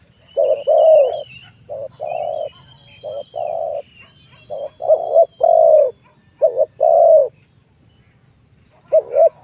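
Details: Spotted dove coos from a lure call for drawing wild doves to fight, given in irregular short-long pairs. Thin high whistles from another bird run over them, and a low hum sits underneath.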